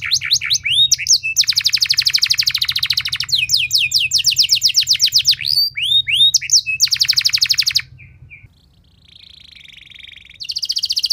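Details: Domestic canary singing a long, loud lure song meant to prompt other canaries to sing: fast high rattling trills alternate with rapid rising and falling whistled sweeps, a brief quiet buzzy pause near the end, then another rattle.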